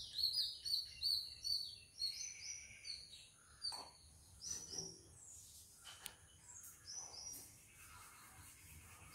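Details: Oriental magpie-robin visiting a backyard: a run of clear, high whistled notes with short rising and falling phrases, repeated quickly at first, then fainter scattered notes and clicks with background noise.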